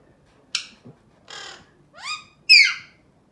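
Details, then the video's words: Pet male Alexandrine parakeet making sounds, a few short harsh squawks and a rising nasal call, loudest at the close, in a quiet room. "Alexandrine singing and making sounds"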